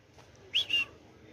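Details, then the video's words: Neighbourhood parrot producing a short, clear two-part whistled phrase, rising then level, much like a spoken 'hola', amid quiet surroundings. "La Lora del Barrio"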